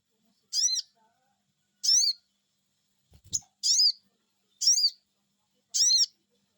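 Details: Sogon bird answering a lure call, giving loud, sharp, descending 'cuiit' notes, one roughly every second, with a brief low thump between them.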